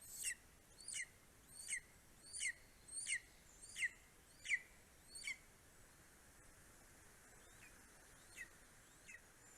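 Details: Greater spotted eagle at a nest in Estonia, an adult bringing a vole, a bird and another vole to its four-week-old eaglet, 9:02 am, 2 July 2020: sharp, high yelping notes repeated about every 0.7 seconds, then fading to sparse calls.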